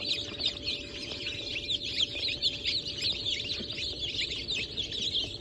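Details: Newly hatched Brahma and Wyandotte chicks, hatched 4 August 2024, many peeping together in a dense, continuous chorus of high, thin, rapid cheeps with overlapping downward-sliding notes and a steady faint background hum.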